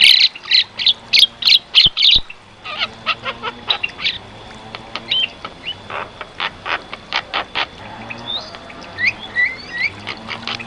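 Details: Black-winged starling singing energetically: a fast string of harsh, buzzy notes, then spaced chattering bursts and short upward whistles, with a low steady hum underneath.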